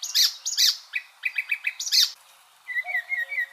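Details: Icterine warbler tutoring song for the white-rumped shama: loud, harsh rasping notes alternating with short clipped chips, then a quieter run of soft, wavering whistles at the end.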